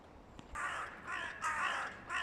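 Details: Two rival crow clans making noise ahead of the nesting season; three loud, hoarse caws in quick succession, each roughly half a second long, over a low outdoor rumble.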